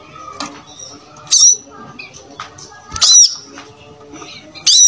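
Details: Brown-throated sunbird in lively singing, used as a model for teaching other birds: sharp, very high chirps, some in pairs, about every second and a half, over a steady low hum and faint softer notes.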